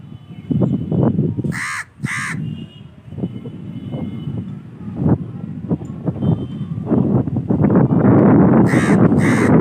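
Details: Crow giving harsh, nasal caws in two quick pairs, one pair early and another near the end, each caw short and loud, over a steady low rumble of background noise.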